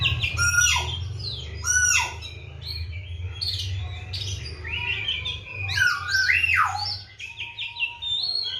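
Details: Caged Oriental magpie-robin in full, active song, a bird given seven crickets and bathed morning and evening: rich whistled phrases that swoop and rise, with buzzy notes and quick chatter, over a steady low hum.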